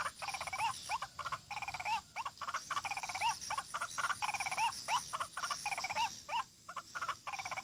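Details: White-breasted waterhen calls played as a trapping lure in Kalimantan, around six o'clock while still light: a fast, uneven stream of harsh repeated notes mixed with short rising yelps, over a faint background hiss.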